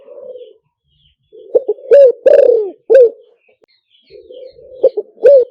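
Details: Spotted dove luring call used to lure birds: a soft low murmur, then hoarse cooing phrases of short stuttered notes and one long, downward-curving croo. The phrase repeats near the end. The background is silent.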